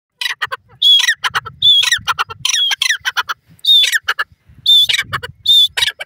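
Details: Grey francolin, locally called teetar, calling in the jungle: loud, harsh, repeated phrases, each opening with a high whistled note and falling into grating notes, about one phrase per second.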